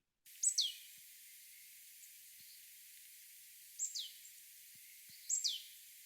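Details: A Marsh Tit gives three bursts of its sharp, sneezy 'pitchou' contact call, which females give while males sing: each a quick pair of high notes sliding steeply down, spaced a few seconds apart over quiet background.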